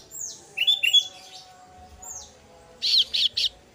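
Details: Female kasu-kasu chick calling its parent: short rising chirps, then three loud, quick buzzy high-pitched notes in a row near the end, over faint background hiss.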